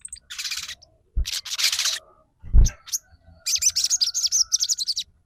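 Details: Bar-winged prinia song: broad rasping bursts and a loud thud, followed by a quick series of high, sharp, repeated chirping notes lasting nearly two seconds.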